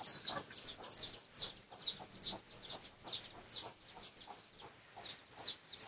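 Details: Pradu-coloured red junglefowl in a research recording from 18 August 2023. Sharp, high chirps fall in pitch and come in a steady stream of roughly two to three a second. The first note is the loudest.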